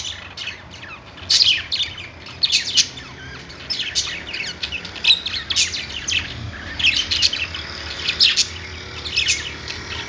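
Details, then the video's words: Budgies singing on a perch inside a pet store: a flock's busy high twittering, thin rising and falling chirps packed closely together with frequent louder bursts. "budgies singing on perch | parakeet chirping sounds in pet store"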